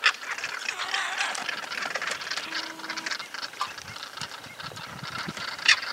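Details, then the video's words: Southern crested caracara calling in Santa Fe, Argentina, recorded in 2019: harsh, grating, noisy calls run together almost without pause, rough and rasping, with a sharper louder note near the end. "Cantos y gritos de las aves"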